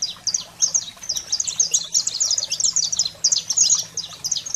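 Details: Energetic saffron finch song to fire up pet canaries: tightly packed, almost unbroken high chirps and twitters with sharp downward slurs, plus a low constant hum underneath.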